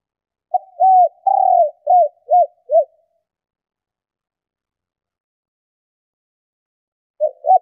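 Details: Female spotted dove calling quickly, as used to lure males: six soft, low coos in quick succession, the second one drawn out, then silence before another coo starts.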